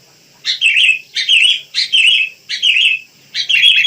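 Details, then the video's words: Wild sooty-headed bulbul singing: five short bubbly phrases, each opening with a bright high note and sliding into a warbling middle section, spaced roughly every 0.7 seconds with brief silences between. "Rame Kicau Burung Kutilang"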